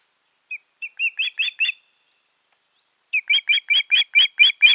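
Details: Osprey pair at the nest on 14 June 2019, after the year's breeding failed: six whistled notes building in volume, a pause, then eight louder, harsher piping notes in quick succession.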